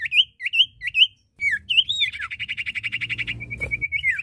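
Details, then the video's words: Iora (cipoh or sirtu), male and female singing: a series of short, sharply rising whistled notes, then a fast, even trill of repeated chips held at one pitch, ending in a few slurred whistles. "Suara Burung cipoh/sirtu jantan dan betina gacor!"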